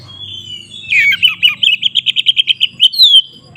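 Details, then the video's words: {'caption': "Oriental magpie-robin in fighting mood, singing the loud open 'ngeplong' style, used as a lure to provoke other magpie-robins to fight. Whistled notes give way to a rapid run of about fourteen even, clipped notes, over a faint low hum."} "suara BURUNG Kacer GACOR ngeplong KONSLET Tarung"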